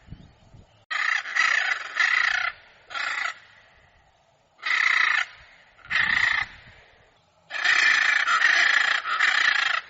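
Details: Hyacinth macaw calling in a series of loud, harsh, broadband squawks, each lasting about half a second to a second, some run together into longer bursts, with short quiet gaps between them.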